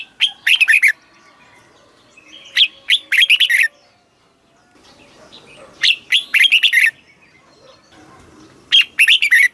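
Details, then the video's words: Thai caged red-whiskered bulbul singing southern master-style phrases used to excite kept birds and train chicks: four lively clusters of sharp, warbled chirps, each phrase about a second long and repeated roughly every three seconds. "เสียงนกกรงหัวจุก สำหรับต่อ หรือ เปิดให้นกคึก เสียงเพราะๆ"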